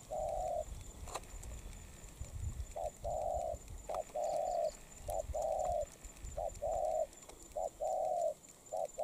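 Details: Molting spotted dove, a wild-caught bird, cooing in a long run of paired notes, a short coo then a longer one, repeated evenly, with low rumbling background noise.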